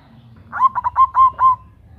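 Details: Female local zebra dove calling to a male, a loud lure call: five quick, mellow, rolling coo notes run together in a single short phrase over faint low background rumble.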